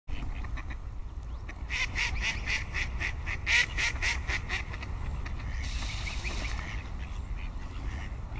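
Mute swan giving a run of harsh, nasal pulses, about four a second, then a short breathy rush. A steady low rumble of wind or water underlies it.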